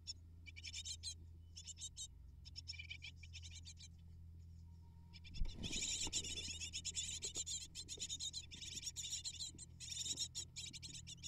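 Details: Hungry great tit nestlings being fed by their parents: scattered high, raspy begging chirps swell into a continuous frantic chorus after a thump, likely a parent arriving, over low hum.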